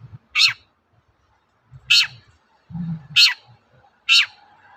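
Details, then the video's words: Long-tailed shrike call, played as a lure to make other shrikes answer: four loud, rasping, downward-sliding shrieks about a second apart, with soft low rumbling between them. "BANYAK CENDET NYAUT MENDENGAR SUARA BURUNG CENDET GACOR INI"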